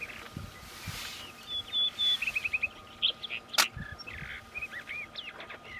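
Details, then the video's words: Juvenile Rufous-tailed rock thrush in high mountain terrain: faint, scattered high whistles and a quick run of short clipped notes, with a sharp click midway, over steady outdoor background noise. "Juvenil de Roquero rojo (Monticola saxatilis)"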